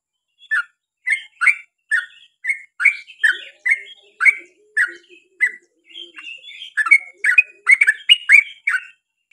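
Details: Yellow-vented bulbul in lively long song: evenly spaced chuckling notes that speed up into a dense burst near the end, with a soft low warble underneath.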